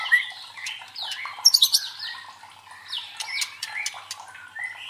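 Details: White-rumped shama song played as a provoking sound to train fighting birds: varied high whistled phrases and rising slurs, with a burst of sharp, clipped notes at mid-clip, all in a dense, continuous stream.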